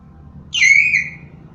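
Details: Common hill myna, a bird known for imitating other animals' sounds: a single loud whistled note, sharply rising then sliding down and trailing off, over a low background hum.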